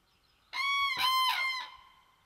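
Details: Common crane at its nest with eggs and chicks beside a small forest pond; one loud, rich, trumpeting honk lasting about a second, harmonic and slightly wavering, with a brief break in the middle, over a quiet background.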